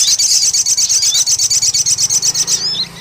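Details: Lure sound of the crested jay, used to attract birds: a rapid, steady high-pitched rattle of clicking pulses, ending in a couple of short rising whistled notes, with a low hum underneath.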